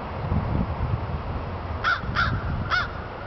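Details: A crow in downtown Fargo gives three hoarse, evenly pitched caws in quick succession near the end, set against a steady low rumble of city noise.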